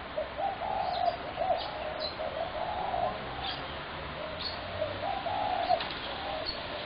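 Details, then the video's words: Spotted dove heard on 21 January 2017: a run of soft, throaty coos in linked phrases, repeated almost without a break, with brief high chirps of other birds. "Spotted dove horrendous racket"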